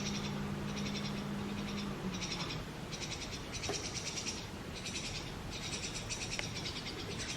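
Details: Brahminy starling chicks begging in a nest box as a parent pair brings them insects; harsh, hissing bursts repeat about every half second, with a steady low hum at the start.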